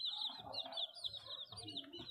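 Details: High, thin peeps from many chicks run on continuously in short downward-sliding notes, with soft low rumbling in the background.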